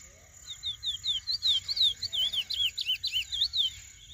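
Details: Lesser seed-finch in first moult to black, delivering a fast run of bright whistled slurs, some rising and some falling, roughly two and a half notes per second, over a constant faint high-pitched hum.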